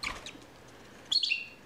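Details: Captive Bourke's parakeet hen, eager to inspect her newly hung nest box: a short burst of bright high chirps near the end, after a quiet stretch with faint earlier twitters.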